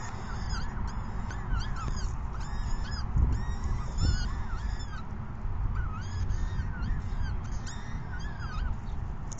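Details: Peregrine falcon chicks at a 6 PM feeding on May 14, 2021 beg with repeated wavering, scratchy squeals, many overlapping, while a heavy low rumble and a couple of thumps run underneath.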